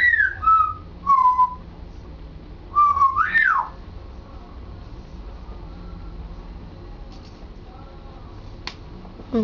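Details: Pet African grey parrot practising its repertoire indoors. Clear whistled notes step downward in pitch, then a pause and a whistle rising and falling in a looping curve, followed by quiet and a final sharp downward whistle.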